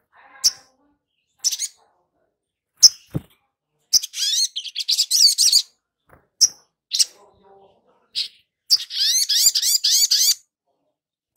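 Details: Long-billed spiderhunter lure song meant to prompt fresh wild-caught birds to sing. Isolated sharp high chips alternate with two longer bursts of fast, scratchy, high-pitched twittering, separated by silent gaps.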